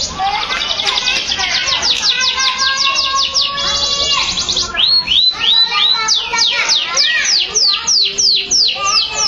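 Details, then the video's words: Canary in full song: a dense, fast, buzzy trill for several seconds, then a looser run of sweeping whistled notes repeated about three times a second. "Canary Song Full of Emotion | CANARY SINGING"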